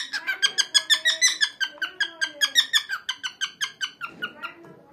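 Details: Pet cockatiel, male, making noises nonstop indoors: a fast, steady run of harsh, squeaky chirps, about three each second, each with a bright rasping tone, slowing and fading near the end.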